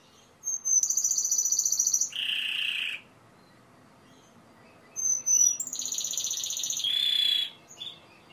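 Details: Timbrado canary singing in two bursts, each a thin whistle leading into a high sustained trill and then a lower, harsher rattle, separated by a quiet gap of about two seconds.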